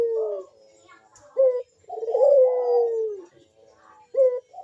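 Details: Perched puter dove uttering big, sharp bekur calls as a lure for other doves: short clipped notes bracketing a long, full coo that swells and then slides downward, before another brief note.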